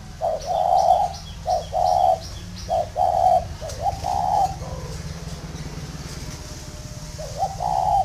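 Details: Tame spotted dove at a northern Vietnamese dove farm in Ba Vi cooing steadily, about four hollow two-part phrases close together, then a quiet gap and one more coo, over a low background hum.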